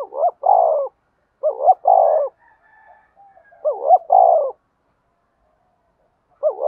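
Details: Spotted dove giving fighting and calling coos: paired low mellow coo phrases, each a short rising note followed by a longer throaty coo, repeated about every two seconds with a quiet gap mid-clip.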